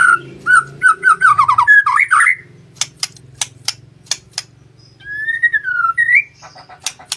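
White-rumped shama song: rich whistled phrases with slurred descending notes and sharp high clicks, mixed with a long falling whistle; faint low hum of a room underneath.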